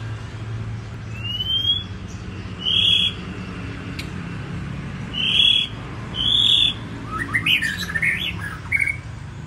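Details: White-rumped shama singing cheerfully: a series of high, clear whistled notes, some sliding upward, spaced a second or two apart, then a faster run of warbled, twisting phrases, over a constant low rumbling hum.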